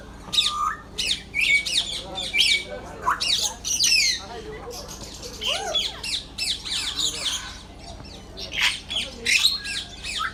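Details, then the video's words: Numerous birds at Gazipur's safari park in Bangladesh keep up a loud, continuous chorus of high, raspy squawks and chattering notes in dense, irregular bursts, with faint voices underneath. "Birds Making Nice Sounds at Gazipur Safari Park"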